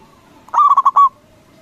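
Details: A local zebra dove with a big voice sings to make rivals answer. There is a single brisk phrase of five rolling, throaty coos lasting about half a second.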